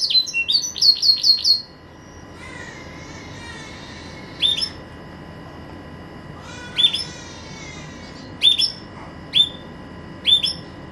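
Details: Green canary kept as a pet at Jaesan opens with a rapid high trill of sharp notes, then falls quiet apart from a few scattered bright chips and short warbles.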